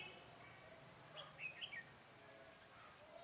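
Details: During bulbul trapping on 4 February 2018, a decoy red-whiskered bulbul sings a single quick phrase of three or four bright whistled notes, rising then dropping, against a hissy, rumbling background.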